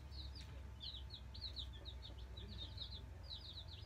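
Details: Nine newly arrived Black Australorp chicks settling into their brooder, giving thin high peeping calls in irregular clusters over a steady low hum.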